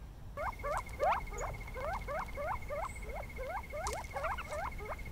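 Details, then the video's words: A covey of Gambel's quail chatter together in quick, soft, rising-and-falling notes, about three per second, over a steady high whine and faint low rumble; Sonoran Desert birds. "And this little square is a covey of quail chattering, so let's listen to that."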